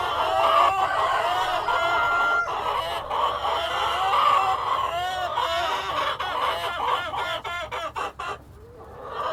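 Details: A flock of hens with a cockerel gives long overlapping cackles and a few clear whistled tones, then rapid choppy clucks toward the end before a brief quieter gap.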